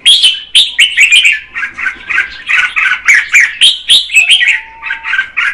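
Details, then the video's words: Female red-whiskered bulbul song meant to stimulate the male, rapid bright chirping notes repeated roughly four times a second, with a faint thin whistle in the background. "Chào mào mái hót kích trống Red-whiskered female"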